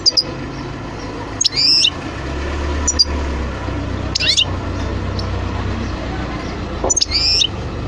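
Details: European goldfinch calls: four brief, high, sliding notes spread across eight seconds, separated by quiet stretches over a steady low hum.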